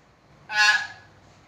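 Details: A common hill myna gives one loud, harsh, rasping call of about half a second, rich in overtones. The recording is meant to prompt quiet mynas to start calling.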